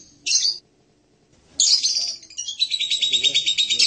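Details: Hanging parrot (serindit) with one short shrill buzz, a pause, then a long sibilant, high-pitched warbling trill that wavers and pulses without stopping.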